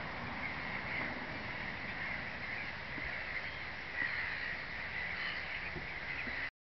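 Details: Common scoters (Melanitta nigra) at Chomoutovské lake, Czech Republic, on 28 March 2010, give soft, short piping whistles, thin and repeated in a loose chorus, over a steady rush of wind or surf.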